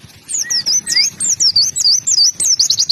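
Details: Oriental white-eye giving a quick run of high, looping chirps, each note sliding down and up, packed closely together into a fast warble.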